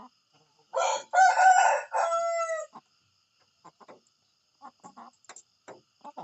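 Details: Morning crow of a rooster: a short lead-in note, then a strong drawn-out cock-a-doodle-doo of nearly two seconds that drops in pitch at the end, followed by scattered soft clucks and knocks.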